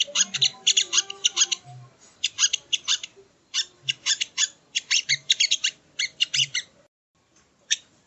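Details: Training recording of sogon, also called sogo ontong, singing: dense rattling clusters of high chirps in repeated bursts of about half a second, brief gaps between them, then near silence at the end with one final note.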